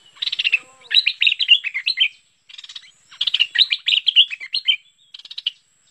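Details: Bulbul known as merbah lekir, a lure recording for attracting birds: lively, bubbling phrases of quick slurred notes and scratchy rattles in two long runs and a few shorter bursts, with a faint steady high tone behind.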